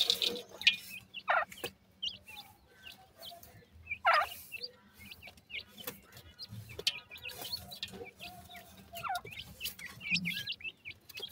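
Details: Francolin chicks giving short, thin downward-slurred peeps, scattered and irregular, with clicks and light handling noise between the calls.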